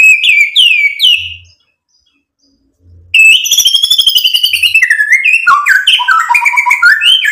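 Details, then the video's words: White-rumped shama song meant to provoke other birds into replying: a few high descending whistled notes, a pause, then a dense burst of fast, varied whistles and chatter stepping up and down in pitch. "SUARA MURAI BATU Untuk MENAIKAN EMOSI jadi NYAUT GACOR BONGKAR MATERI ISIAN | PANCINGAN MURAI"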